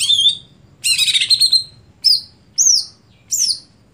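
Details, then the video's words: Stelan-style song of a greater green leafbird: a quavering high whistle, then a warbled burst, followed by three clear upslurred whistles spaced about half a second to a second apart. "Apakah Stelan Cucak Hijau Bisa Di Patenkan"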